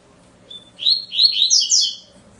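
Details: A double-collared seedeater gives one fluid song phrase. A clear introductory whistle leads into tumbling high chirps that climb and end on piercing downslurred notes.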